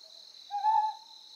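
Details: Single brief, husky hoot of a Ryukyu scops owl on Amami Oshima, Japan, rising slightly then fading, heard over a steady high insect hum.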